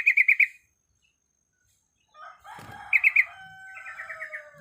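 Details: Female Yellow-vented Bulbul in breeding condition calling males: quick bursts of four bright chirps, a pause, then more chirp triplets and a descending run of notes over a faint rustle.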